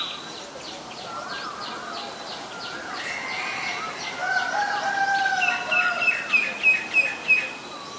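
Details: Female Asian koel giving a rapid series of sharp, high clicking notes, then a louder run of evenly spaced pulses near the end, about three a second; other birds' drawn-out whistled calls overlap in the middle.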